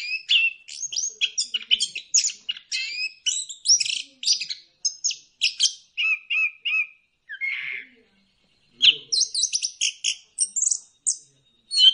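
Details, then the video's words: Orange-headed thrush, or punglor kembang, singing a lure song to make birds sing: long bursts of rapid, varied chirps and twitters, a short gap, then another vigorous burst; a man speaks briefly afterwards. "pancingan ampuh! punglor kembang | merangsang burung cepat gacor"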